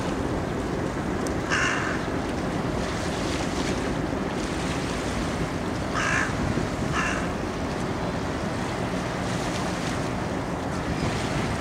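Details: Carrion crow playing with a walnut, filmed with a telephoto lens: a few short, rasping caws in two loose bursts, partly masked by constant wind-like roaring noise.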